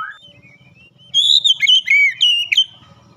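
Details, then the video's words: Oriental magpie-robin in full gacor ngeplong song, beak opened wide: after a faint thin whistle, a loud burst of clear looping whistles and sharp slurred notes over a low hum. "Kacer langsung gacor ngeplong buka paruh dengan lebar"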